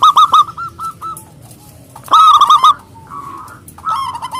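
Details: Loud-voiced local zebra dove calling out to rival birds: bursts of rapid, pulsing cooing notes on one pitch, separated by short pauses and a softer held note.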